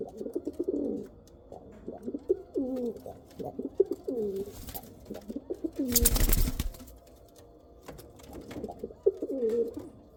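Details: Rampuri and Kal Cheeni pigeons coo repeatedly in rolling, wavering phrases. A loud broadband rustle or bump cuts in around the middle, then the cooing resumes.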